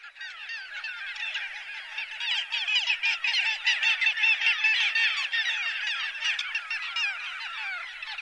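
A dense chorus of Little gulls, many short, nasal, high kek-like notes overlapping rapidly in a continuous, chattering din.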